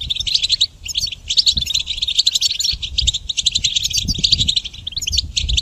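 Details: A goldfinch sings loudly in a dense, jingling torrent of bright chips and short buzzy twitters meant for training songbirds, with scattered low knocks underneath.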